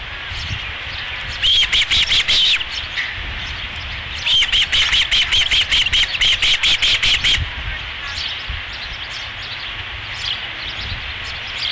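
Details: Osprey at its nest during a fish delivery, second fish of the evening, July 2016, ranch nest: two bursts of rapid, repeated high chirps, about one to three seconds each, separated by quieter stretches with faint calls and rural background.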